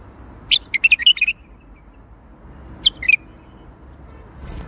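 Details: Bulbul in Baghdadi-style song, a rapid chattering run of whistled and warbled notes at the start, then a short pause before a second brief flourish of three notes, followed by faint rustling.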